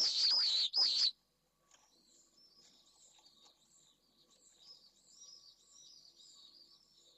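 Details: Late-evening return of a Pallid swift pair to their nest in Jerez de la Frontera, following the female's first egg laid overnight. Opens with two loud shrill screams close by, then many faint distant screams continue.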